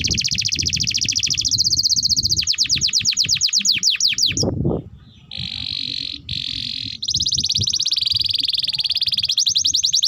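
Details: A canary sings long, continuous song of the kind used as a lure and tutor recording for young canaries: rapid buzzy trills and rolling repeated notes, broken by a brief pause and steady whistled rolls. Low background rumble throughout.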